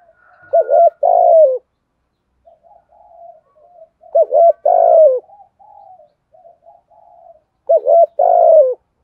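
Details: Spotted dove cooing, used to lure wild birds: three bouts, each a pair of short low coos followed by a longer drawn-out coo, repeated about every three and a half seconds, with soft quieter cooing between bouts.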